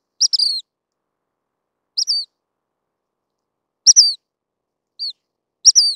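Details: A Dark-sided flycatcher calls with high, thin, descending notes at uneven intervals, one fainter single note among them, in otherwise total quiet.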